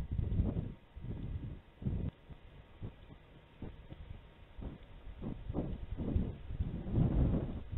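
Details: Muffled low thumps and rumbling bursts come and go over a quiet background, with no animal calls present.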